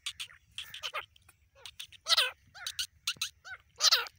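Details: Male and female grey francolin calling back and forth: scratchy, strained notes with downward-curving slurs, loudest near the middle and the end, spaced unevenly, with a soft low hum underneath.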